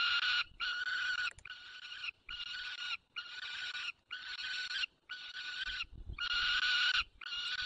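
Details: White stork calling adopted young at its nest, Barycz Valley, 9 June 2020 at 10:54, brood of one own and three fostered chicks. Steady series of nasal, harmonic calls roughly every 0.7 seconds, separated by brief pauses.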